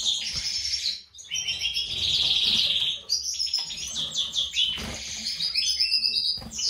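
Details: European goldfinch in a captive breeding setup, a white-throated mutation male paired with a classic female; continuous tinkling twitter with a sustained buzzy trill, clipped notes and a quick descending run near the end.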